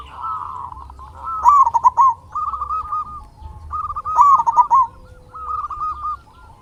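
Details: Local Indonesian zebra dove singing as a lure to stir other doves into song: rolling, bubbling coo phrases of quick trilled notes, delivered in bursts about every two to three seconds, with softer overlapping cooing between them.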